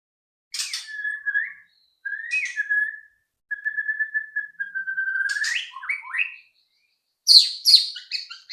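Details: White-rumped shama song used as a lure to get other shamas singing quickly: clear whistled notes held steady, then a long sustained whistle sliding into quick falling phrases. It closes with sharp high chips.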